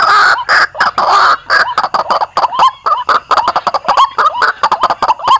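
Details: White-breasted waterhen lure call for hunting in Indonesia, a loud run of harsh croaks that speed up into quick clipped notes with small upward inflections, repeated in a rapid, uneven rhythm.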